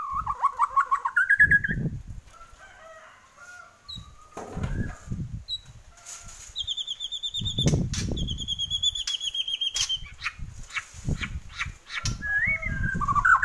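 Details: A Bornean white-rumped shama in full song gives rich, varied phrases: low fluted whistles that rise and fall, then high, rapid trilled runs, over repeated soft thumps and wing flutters.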